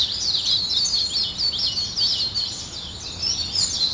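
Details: A steady jumble of high, thin chirps from many birds greets the morning. The notes come in fast, overlapping bursts.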